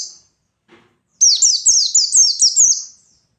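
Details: Lively pleci white-eye song in forest style, intended to provoke rivals into singing: after a brief faint note, one bright phrase of about six high, quick, downward-sliding twitters.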